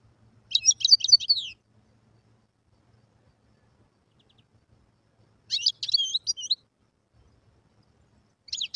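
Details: Wild European goldfinch song in two brief bursts separated by silence: rapid high twittering phrases of short chirps and trills, with a third burst starting at the end.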